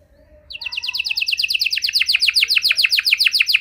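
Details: Canary song played to encourage quiet canaries to start singing: after faint low background sounds, a steady run of rapid descending chip notes repeated about three to four per second-beat, bright and ringing.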